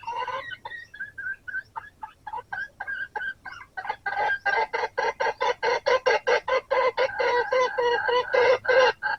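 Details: Red junglefowl during a hunt with a decoy rooster. A rapid series of short, harmonic clucking pulses that start sparse, then grow louder and denser, packed tightly together through the second half.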